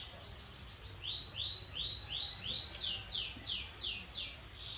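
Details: Canary song heard at a distance over steady background hiss. Rhythmic rising whistled sweeps repeat about three times a second, shifting to higher, brighter slurs partway through.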